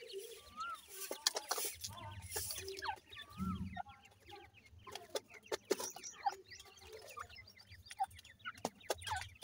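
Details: Grey francolin, a female feeding her chicks during the breeding season: soft clucks and short thin peeps with a few wavering whistles, amid scattered chirps and clicks over a low background hum.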